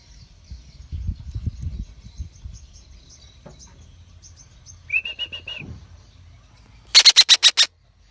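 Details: Young Red-breasted parakeet, kept as a pet, utters a short buzzy chattering note run and then a loud harsh burst of about six raspy pulses, after faint rumbling background noise.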